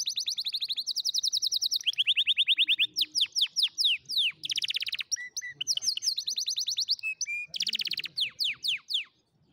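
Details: Canary singing as a lesson for young canaries: loud continuous song of rapid trills switching between high and lower pitches, with sweeping downslurred notes and short steady whistles.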